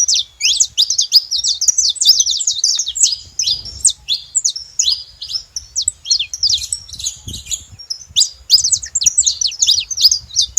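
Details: Busy chattering of saffron finches at a feeder, a dense run of quick, high, scratchy chirps and twittering notes that overlap continuously, brief pauses between bursts, with a faint low background rumble.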